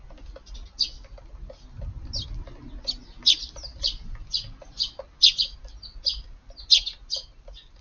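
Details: Sparrows in a garden on an evening in June, one or two adults with many young birds of the year feeding together; short bright chirps repeated irregularly, many birds calling over each other, with low background rumble.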